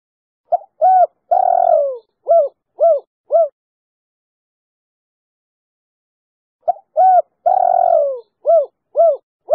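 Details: Clear-voiced female spotted dove, three-note coo type, kept as a lure to prompt other doves to call. She repeats a phrase twice: a brief pickup, a hollow coo, a long descending coo, then three short evenly spaced coos, in near silence.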